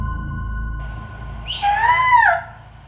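A Black-banded Owl gives one harsh, drawn-out screech of under a second that swells upward and then slurs down, over steady background music.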